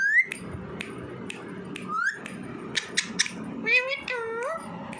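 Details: Pet male Alexandrine parakeet, a talking parrot, gives short rising whistles, sharp clicks and then a few husky, voice-like mimicked syllables indoors, over a low hum, with laughter nearby.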